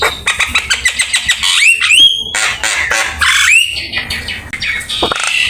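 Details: Javan myna song for training other birds: a quick rattling series of clicks, then clear rising whistles with hooked ends amid harsh buzzy noise.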